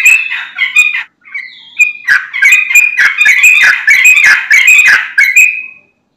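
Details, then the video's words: Lure song of a sooty-headed bulbul, played to make other bulbuls answer: a long, lively stream of chattering, bubbly notes with clear whistled phrases, ending in a drawn-out rising whistle. "Trucukan Bahan, Ombyokan Langsung Nyaut Dengar Suara Trucukan Gacor ini"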